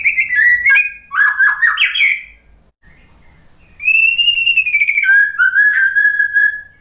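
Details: Lure song of a white-rumped shama for a stressed, silent post-moult bird: varied quick whistled phrases, a short silence, then a long, gently falling whistle that settles into a steady lower note.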